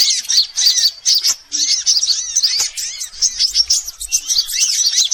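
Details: Assorted sunbirds played as a lure to pull in birds. Choppy bursts of thin, high twittering and looping slurred notes alternate with short gaps, several voices overlapping.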